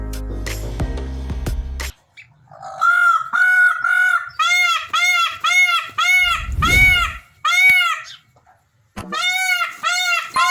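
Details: Captive blue Indian peafowl in Belo Jardim, Pernambuco, Brazil, recorded by day and at sunset, give loud, nasal, wailing honks, about two a second in bursts, rising and falling in pitch, after a short burst of music.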